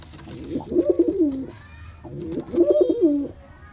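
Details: A male pigeon courting a female gives two bubbling, throaty coo phrases, each about a second long with a wavering, falling pitch, separated by a short pause.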